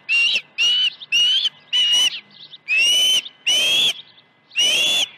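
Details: Osprey at a ranch nest, 21 August 2019, morning with two fish deliveries. Loud high whistled calls, each a short slurred note with a steady tone, given in a series of seven about every half second with brief pauses.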